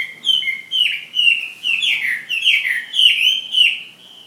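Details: Chinese hwamei kept as a fighting bird, from Hà Giang, Vietnam: loud, rich whistled phrases around mid-high pitch, slurred downward notes repeated in about eight bursts, each roughly half a second, clear and strong throughout.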